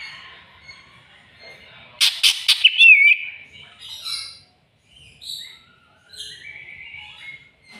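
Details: Greater green leafbird seeking a rival: a rapid burst of harsh rasps leads into a bright whistled flourish, followed by scattered clear whistles and a long, gently falling whistled phrase.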